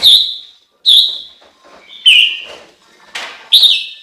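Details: Chinese hwamei singing a series of five loud, clear whistled notes, each falling slightly and fading, spaced under a second apart, with a brief burst of noise between the last two notes.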